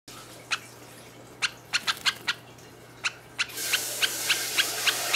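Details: Young male sakura Java sparrow, about 51 days old, recorded 21 November 2013 while perched on a hand and preening. It gives short, sharp 'kyu' peeps, about a dozen at uneven intervals, over a steady low hum, with background hiss rising toward the end.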